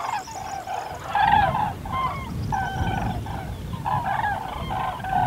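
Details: Chorus of Common crane (Grus grus) calls, loud rolling trumpet notes repeated in quick succession by several overlapping birds, with steady low-pitched rumble beneath.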